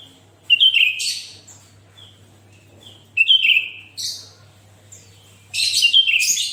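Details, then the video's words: Sooty-headed bulbul song intended to get other bulbuls singing: repeated falling whistles each followed by a raspy burst, three phrase groups ending in a long harsh chatter, low hum throughout. "Suara Burung kutilang Gacor//Tempel Suara Kutilang ini Dengan Burung Kutilang kalian"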